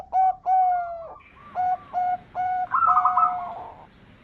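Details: Champion zebra dove (perkutut) lure song for calling in birds: clear, mellow coos repeated in a steady rhythm, ending in a rapid fluttering trill that fades out.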